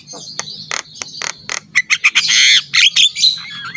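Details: Javan myna (jalak kebo) singing actively, a recording meant as a tutor song for other mynas: sharp clicks and loud buzzy squawks, then rapid harsh chattering bursts and whistled notes, over a faint low hum.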